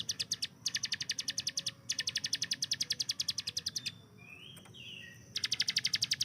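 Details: Ciblek gunung, the hill prinia, in a training recording of its "tembakan" bursts: rapid trains of crisp high ticking notes in runs of one to two seconds, a brief pause with a couple of thin slurred whistles, then rattling resumes.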